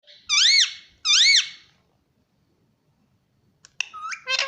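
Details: Pet rose-ringed parakeet kept indoors, taught to say 'papa' and 'mummy': two loud, arched, harmonic squawking syllables in quick succession, a pause of silence, then a burst of shorter chattering notes in a small room.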